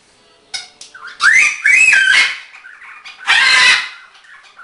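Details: Male green-winged macaw kept as a pet indoors, vocalising playfully: a whistled rising note, then loud harsh squawks with wavering tones, a pause, and a final raucous squawk.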